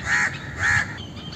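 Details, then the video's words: Two loud, rasping caws from an Indian crow, each lasting about a quarter second and separated by a brief pause, over a quiet outdoor background. "Indian Crow Sound"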